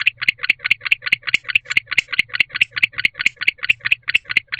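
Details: Male barn owl inside a nest box at night in winter courtship season, calling loudly to his bonded female to join him; a fast run of rasping, chirruping pulses, about five a second, steady throughout.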